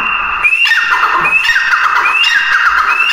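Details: Grey francolin giving its harsh repeated call, about three ringing phrases, each opening with an upward-sweeping note and trailing into a rasping descending series, delivered in quick succession.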